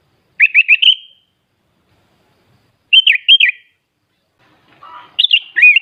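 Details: Kept sooty-headed bulbul from Klaten in Central Java, Indonesia, in full fill-in singing style: three bursts of liquid, looping whistled notes, each group of two to four notes separated by pauses, with a faint lower chatter before the last burst.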